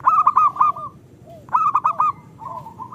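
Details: Local zebra dove song used to prompt lazy birds to sing: two loud bursts of rapid, clipped cooing notes followed by a softer, level coo.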